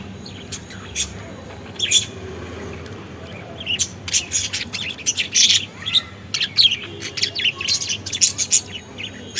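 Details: Two pet budgies at soft food give a steady run of bright, high chirps and short chattering notes.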